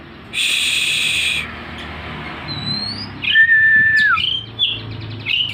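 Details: Oriental magpie-robin fanning its tail while singing insistently, getting caught on a string: a harsh noisy burst opens, then thin rising whistles, a level whistle dropping away, and brief sharp chirps.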